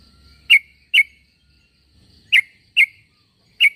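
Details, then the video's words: Short, loud, sharp chirps from a sooty-headed bulbul calling for other bulbuls to reply, given as two pairs and a single note with brief silences between. "Suara pangilan burung trucuk.semua trucuk pasti nyaut dengar suara trucuk ini"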